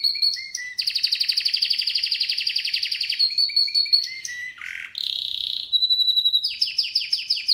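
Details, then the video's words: Varied canary song with short whistles, a long fast rolling trill, lower scratchy notes, a steady whistled tone and a closing run of quick falling chirps. "Canary's voice A very beautiful canary's chirping canary's voice"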